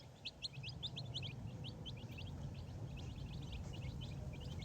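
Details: Baby chicks on a farm learning to find food by themselves, scratching through grass for food and insects; quick, high, rising and falling peeps from several chicks, almost continuous, over a low background rumble.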